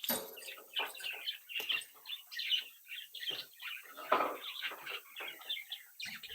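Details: A brood of budgerigars chatters in short, scratchy bursts of warbled notes and chirps, roughly every second or so, with faint rustling between phrases.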